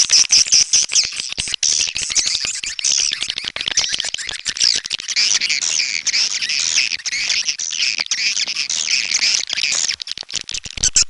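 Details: Swiftlets twittering in a busy chorus of high chirps and squeaks, accompanied by a constant stream of crackling clicks.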